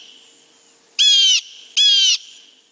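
A Blue Jay gives two harsh, nasal 'jay' screams about three-quarters of a second apart, each roughly half a second long, over a faint background hiss.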